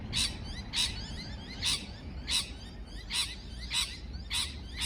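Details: Parrot giving loud, harsh, high chirps at a fairly even pace, about one every half second, over a low background hum.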